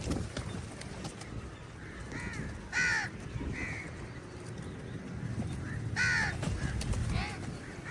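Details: Several crows fighting eagles over food give scattered hoarse caws, two louder ones about three seconds apart, with softer calls between and a steady low noise bed.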